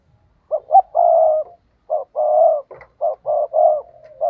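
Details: Spotted dove decoy calling to attract wild rivals. Repeated low coos come as a pair of quick notes and a drawn-out coo, then several clipped notes and a trailing coo over near silence.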